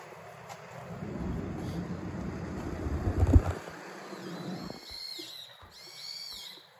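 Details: Common kingfisher by the Zenpukuji River in Suginami, Tokyo, filmed on a smartphone with a telephoto lens. Low rumbling noise at first, then high, thin, shrill whistled calls that arch and fall, in two short bursts near the end.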